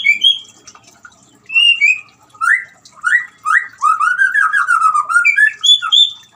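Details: White-rumped shama singing to encourage a silent shama: spaced mellow whistles, then swelling upslurred phrases running into a continuous rolling warble that falls and climbs again, with high thin overtones above.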